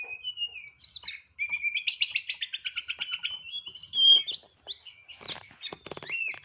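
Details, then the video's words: Caged white-rumped shama (tledekan) singing in the nyeklek style with complete fill-in phrases, a varied run of high whistles, rapid trills and sharp repeated chirps, rising and falling notes at a strong volume, with no other clear sounds. "TLEDEKAN NYEKLEK BONGKAR ISIAN"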